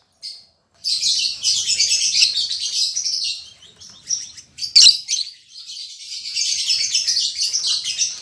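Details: Newly paired caged lovebirds, an albino MM male and a lutino MM female: shrill rapid chattering and chirping in dense bursts, pausing briefly midway before resuming, with one sharp loud squeak.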